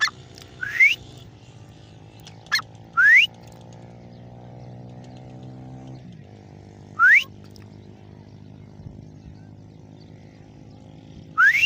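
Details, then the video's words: Grey francolin calling with loud, rising, whistled notes heard four times over about twelve seconds at irregular gaps, over a steady droning engine-like hum. "Gray Francolin ||gray Francolin sound|| irani teeter ki awaz"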